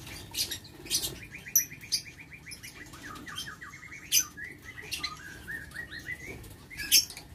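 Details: Lovebirds kept in an aviary, recorded 6 November 2022: long runs of quick, short, even chirps in a steady mid-pitched chatter, broken by sharp high clicks and brief wing flutters.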